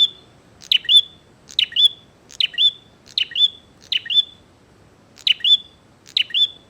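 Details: Fight-challenging song of a vigorous bar-winged prinia: a run of crisp, high double chirps, buzzy then whistled, delivered roughly every two-thirds of a second with one brief pause, over a faint murmur.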